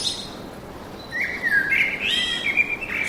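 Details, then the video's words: Forest bird song built from a sustained, wavering whistled phrase that rises and falls in pitch, with a few high chirps at the start and the end. "Пение птиц в лесу"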